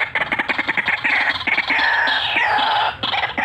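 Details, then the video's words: White-breasted waterhen calling actively, with cackling and rolling calls: a fast run of harsh repeated notes, then a long, strained, harmonic croak that slides slightly downward before short notes resume. "RUAK RUAK GACORAN FULL NGEKEK NGEROLLL"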